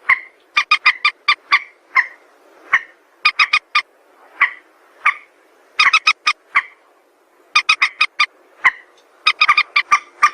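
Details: Trapping-lure recording of a White-breasted waterhen: clusters of three to five quick, grating notes alternate with single drawn-out croaks, repeated irregularly over ten seconds.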